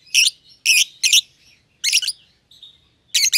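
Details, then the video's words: Two young lovebirds, euwing green opaline and albino with red eyes, caged together as a bonded pair; loud harsh high chirps in clusters of two or three, separated by short gaps and a thin steady whistle. "Lovebird Chirping Sounds"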